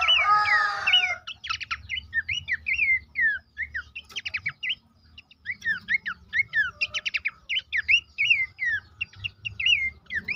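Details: Horsfield's babbler song used to prompt caged birds to sing: an opening harsh burst, then continuous varied whistled phrases mixing falling slurs and quick ticking trills, briefly pausing mid-way.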